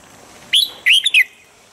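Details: Red-whiskered bulbul giving a standard morning training song meant to bring birds quickly into peak singing form: a short bright whistled note, then a quick burst of three rich, warbling notes, over a quiet steady hiss.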